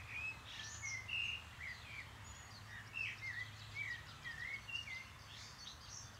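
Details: Common redshank, a rare visitor in Rhineland-Palatinate, gives short, clear whistled notes, sometimes sliding down, scattered irregularly, with fainter high chirps from other birds and a low background hum.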